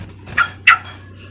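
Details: Sooty-headed bulbul song used as a lure to get an untrained young bird singing: two short, loud, bubbly notes about a third of a second apart over a steady low hum.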